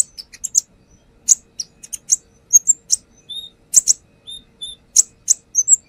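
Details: Brown-throated sunbird song for luring: scattered sharp high chips and clicks mixed with a few short, thin whistled notes, delivered in uneven bursts.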